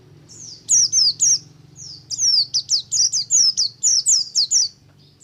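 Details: Ngalas-style song of a Buxtomi oriental white-eye, meant to make other white-eyes sing quickly: a near-continuous run of sharp, very high descending whistled notes, about a dozen in five seconds, with a low background hum.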